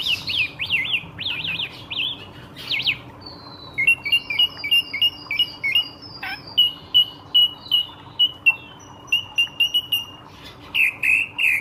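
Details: Drongo in lively song used as a lure to stir nearby birds: varied whistled notes, rapid zigzag trills, then a long run of short repeated chirps at one pitch with brief high buzzy bursts.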